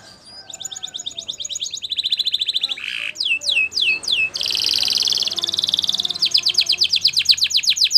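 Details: Canary song said to be Spanish Timbrado training song: sharp metallic rolled trills, a bubbling burst, a series of descending whistled slurs, then fast buzzing and rattling trills repeated about four times a second.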